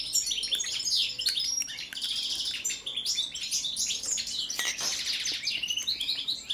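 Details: European goldfinch (balcanica subspecies) singing during a song check, a continuous rapid stream of liquid twitters, trills and buzzy tinkling notes, high and bright throughout.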